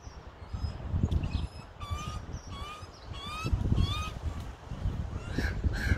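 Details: Australian magpie fledgling on its second day out of the nest, fed by both parents, Melbourne, 2020; short, nasal, slightly rising calls with bright overtones repeated about twice a second over low rumbling background noise.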